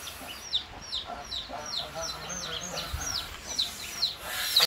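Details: Young goose with a string of clear, high, downslurred peeps spaced roughly every half second, and a soft low rumble and brief noise underneath.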